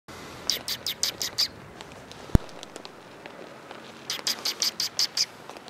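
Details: Sparrows coming to be fed, recorded 4 December 2021 on the way out: two bursts of rapid, high, sharp chirps, about six in quick succession each, separated by a quiet stretch with a single loud click.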